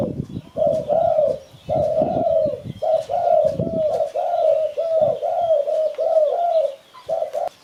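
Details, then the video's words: Mellow cooing of a spotted dove, a recording used to lure birds, running in close paired notes with slight rise then fall, over intermittent low handling noise in the first half. "Sound Spotted Dove Malay"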